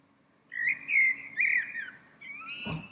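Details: Small bird singing from a tree in spring, a frequent daily visitor; a smooth, wavering whistled phrase of several connected slurred notes, ending with a short soft note and a faint knock.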